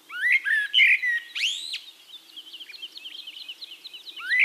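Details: Eurasian blackbird singing in Castricum, the Netherlands: low, mellow fluted warbles, then a bright rising whistled phrase, followed by a long run of thin, high twittering notes before another fluty phrase begins.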